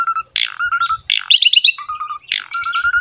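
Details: Energetic jalak suren (Asian pied starling) singing as a master recording for silent cage birds: harsh broadband bursts alternating with low steady whistled notes and a quick bubbling trill.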